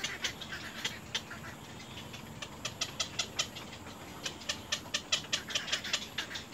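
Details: Baby little egrets biting their mother at the nest: bursts of rapid, dry ticking calls separated by a brief quieter stretch, then a louder, faster run at the end.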